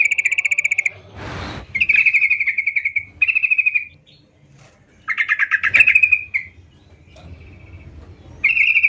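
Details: Sooty-headed bulbul (trucukan), a lively singing bird: buzzy, rapidly pulsed note trains at one steady pitch, broken by a burst of noise and quieter gaps, then more clipped chirps.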